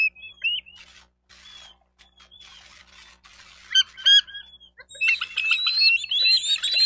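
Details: Wild bald eagle calling at its nest in Miami-Dade County, Florida, nest cam, 28 May 2023: high squeaky whistles and scratchy notes that build into a dense, excited burst of piping chatter at the end.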